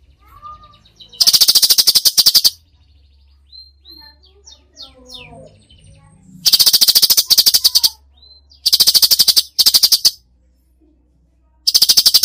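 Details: Cucak cungkok singing its full 'tembakan' song, used for bird training: four loud bursts of rapid dry clicking notes, each lasting one to two seconds, separated by quiet stretches with faint twittering.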